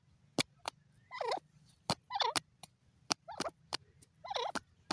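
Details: Francolin, called teetar, calling in a series of short, harsh, wavering notes about once a second, each bending down then up, with loud sharp clicks or taps sounding between the calls and a low hum underneath.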